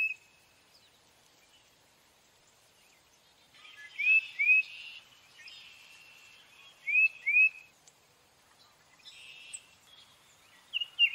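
A tufted titmouse gives paired, quick upslurred whistles mixed with harsh, buzzy scolding notes, in three short bursts separated by quiet pauses.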